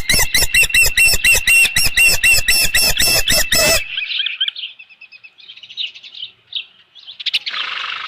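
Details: Osprey at the Dunrovin Ranch nest on 15 July 2018, 7:55 PM, as a large headless fish arrives: loud, harsh chirps repeated about four per second for nearly four seconds, then softer scattered whistled chirps.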